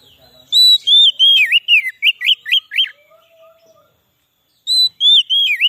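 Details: White-rumped shama song meant to attract wild shamas: a sustained high whistle leads into a rapid run of looping, down-and-up notes, with a new phrase starting after a short pause.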